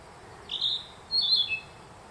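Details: Narcissus flycatcher in song at Myojin in Kamikochi, Japan, in June 2021, in the spring forest; two short bright whistled phrases, the second a quick warble ending on a lower note, with calm surroundings.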